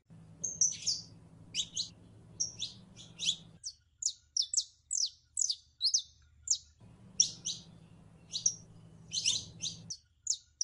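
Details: Calls of a female canary in heat summoning a male for mating, a dense series of sharp, high, downslurred chirps, some doubled, coming in uneven bursts against a faint low electrical hum.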